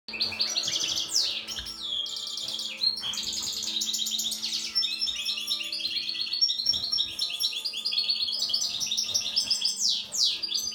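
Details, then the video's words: Trained European goldfinch, Turkish saka, singing in mating-season excitement: a fast, dense stream of high twittering notes, buzzy trills and sharp rising-and-falling whistled sweeps, continuous for about eleven seconds with a faint low hum beneath. "Saka x saka kızışma"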